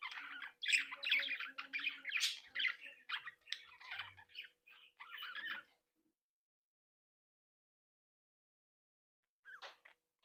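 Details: Breeding flock of Australian budgerigars kept in captivity, chattering busily with warbled, scratchy notes for about six seconds, then silence before one brief final chirp.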